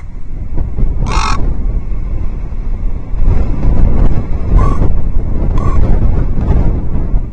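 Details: Wild common raven perched by Loch Arkaig Osprey Nest Two on 12 October 2023, warning another raven away with odd clucking noises; one short harsh throaty note, then two fainter ones, over steady low wind rumble from a livestream camera.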